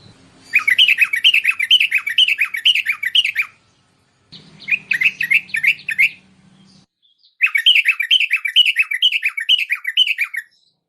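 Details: Calls of a bulbul for luring wild birds: three separate bouts of quick, bubbly warbled notes, each bout about three seconds long, with short silences between and a low hum under the middle bout.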